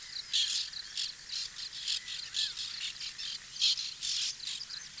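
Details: Nesting colony of white-winged terns, recorded in 2021: rasping, high-pitched cries from many birds, bursts coming roughly twice a second, some louder and nearer, with a constant airy background hiss.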